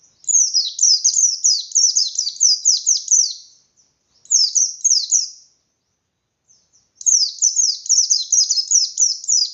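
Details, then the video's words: Energetic ngalas song of a white-eye, used to provoke rival white-eyes into singing: long runs of shrill, quick descending twitters, a brief burst between them, and pauses of about two seconds between phrases. "Burung Pleci Gacor Pendongkrak Emosi Pleci Lain"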